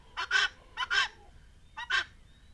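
A helmeted guineafowl gives three harsh, grating two-part calls, a short note then a longer one, spaced roughly a second apart. No other sounds stand out.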